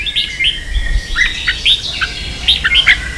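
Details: Red-whiskered bulbul 'ché' singing for training young birds: crisp short whistled notes, several bright rising chirps roughly every quarter to half second, over low background rumble.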